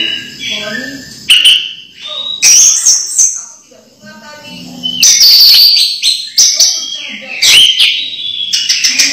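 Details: A captive orange-headed thrush sings a rich, varied run of loud whistles, trills and harsh chattering phrases in quick bursts, with other faint sounds in the quieter gaps.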